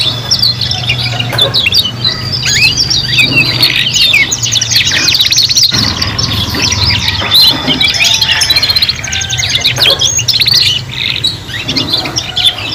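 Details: Three canaries singing at once as a teaching recording for young birds learning song: long stretches of rapid overlapping trills, chirps and short whistles, nearly unbroken, with a brief dip midway and a constant low hum behind.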